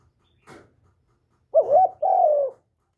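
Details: Spotted dove, known in Vietnam as cu gáy or cu đất, cooing in a calling, urging and cooing sequence to stimulate decoy doves. After a faint click comes a short wavering note, then a longer, smooth, falling coo.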